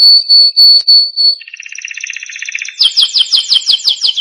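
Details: Training song for young canaries: a canary gives five pure, clipped whistles with short gaps, then a soft fast rattling trill, then loud, repeated downward-slurred notes at a quick, even pace.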